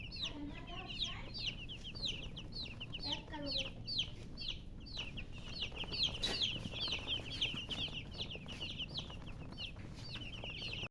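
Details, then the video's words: Baby chicks keep up rapid, shrill peeping, more than two calls a second from a group, each peep a short sweeping whistle; brief lower hen clucks early on and a sharp click midway. "Baby "Chicks Chirping" Sound"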